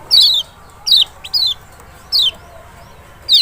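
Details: Lemon-bellied white-eye, Zosterops chloris maxi from Lombok or Sumbawa, heard in a lure recording to provoke a quiet bird; five loud, clear, high whistled notes sliding downward, separated by pauses, plus a tiny click between them.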